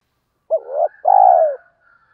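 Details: A single spotted dove phrase, from a recording of male and female doves meant to stimulate birds in training. A sharp bent opening note is followed by a brief gap and one long, smooth, low hooting coo.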